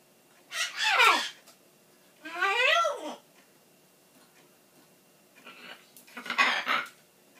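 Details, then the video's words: Pet macaw indoors yelling in a tantrum because it thinks its owner is leaving. Two loud, harsh, harmonic cries with falling and arching pitch sweeps, then a quieter burst and a final raspy shout, separated by short silences. "Macaw, Milo, yelling "Buh bye!!", giving kisses, and talkin"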